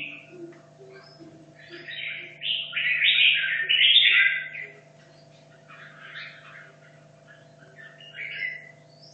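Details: Red-whiskered bulbul from Hanoi, caged two and a half years, rehearsing for competition; a loud two-part warbled phrase mid-clip, flanked by quieter scattered chirps, over a persistent low hum.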